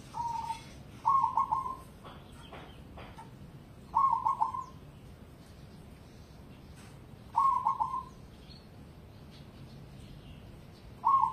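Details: Competition-grade cemani zebra dove repeating a loud, clipped cooing phrase of several rapid staccato notes followed by a short trailing coo, roughly every three to four seconds, with quiet gaps and faint clicks between.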